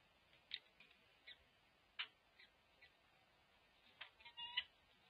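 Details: Peregrine falcon at a nest box on a December morning, where a new male was scraping and bonding with the female: a few short, sharp chupping notes about a second apart, a brief thin whine near the end; faint.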